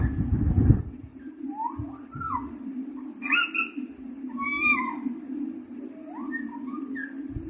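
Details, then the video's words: Baby pet parrot learning to talk: soft whistled, gliding notes, some rising and some falling, in short separate bursts over a steady low indoor hum, with a few dull thumps near the start. "Baby Parrot talking Continuously/Talking Parrot"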